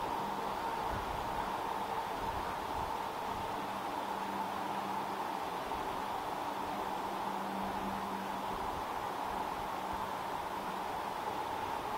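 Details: Steady broadband hiss with a low hum, like traffic or a fan, and no animal calls.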